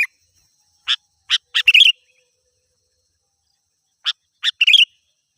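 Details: Gacor song of a sooty-headed bulbul, meant to attract and provoke wild birds. Two phrases, each a few bright chips rising into a quick buzzy twitter, separated by about two seconds of silence.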